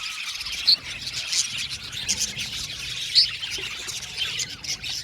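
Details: Several blue male budgies keep up a steady, busy warble of high twittering, broken by sharp louder chirps roughly every couple of seconds above the chattering mass.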